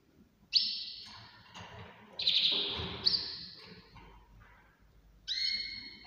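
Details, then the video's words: Canary singing in the early morning: high, sustained trilled phrases that start abruptly, each lasting about half a second to a second, separated by short gaps, with a brief lower harmonic note near the end. "تغريد كناري"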